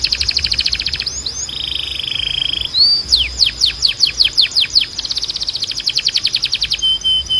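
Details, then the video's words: Canary training song: a fast rattling trill, a long flat buzzy note, then a loud rhythmic series of descending sweeps and another quick even trill closing with a short whistle. "Melhor Som de Canário Para Treinar"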